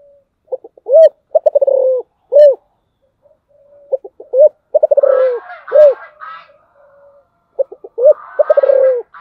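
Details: Spotted dove singing 'giọng thổ' style, three phrases a few seconds apart: short lead notes, a hollow coo, a rattling trill of rapid pulses and a final coo. Busy chattering and squeaking from other birds runs alongside.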